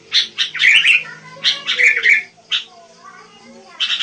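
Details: Wild sooty-headed bulbul delivering a few short, liquid chirps and a bubbly phrase, then near quiet for about a second before chirping resumes.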